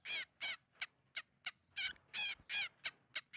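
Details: Lure recording used to attract birds for trapping: loud, rasping calls given at an uneven rhythm, longer harsh notes alternating with short clipped ones.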